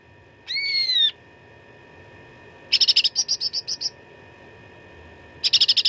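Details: Cucak ranting in full fighting-song delivery, recorded as training material for contest songbirds: a drawn, slightly falling whistled note, then a quick series of about eight sharp chattered notes, and another burst of fast chatter after a pause.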